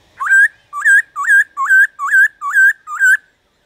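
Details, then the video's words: Black-throated laughingthrush repeating a clear upslurred whistle seven times, about twice per second, in a steady phrase used to urge wild-caught laughingthrushes into song. "Khướu Hót DÉO BỔI - GỌI BỔI kích thích bổi hót/kích thích khướu bổi căng lửa"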